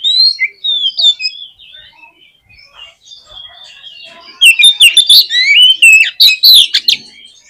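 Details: Oriental magpie-robin (kacer) song, a lure to make a pet magpie-robin sing: soft, wandering whistles at first, then an energetic outburst of loud, rapidly changing whistled and chattered notes.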